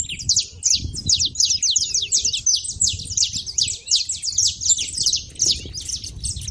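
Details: Saffron finches making a racket at a feeder, high quick chirps nearly three per second in a ragged overlapping chorus, faint low soft tones beneath.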